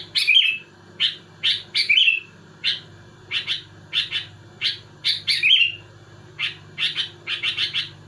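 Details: Sooty-headed bulbul in lively, rival-provoking song: a near-continuous run of clipped chirps in groups of two to four, with occasional richer rolling notes, over a constant low background hum.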